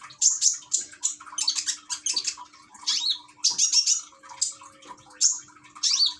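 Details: Common iora kept in a cage in Gresik, East Java, phone-recorded beside trickling water meant to calm it and encourage singing; rapid high sharp chirps and whistles repeated in quick clusters throughout.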